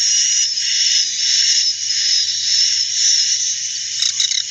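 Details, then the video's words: Many edible-nest swiftlets calling together in an unbroken, high, hissing chorus of overlapping chirps and thin whistles. The sound is described as their true, calm, non-noisy voice, with a brief louder flutter near the end. "Suara Asli Walet || suaranya ngak berisik pasti waletnya banyak nginap"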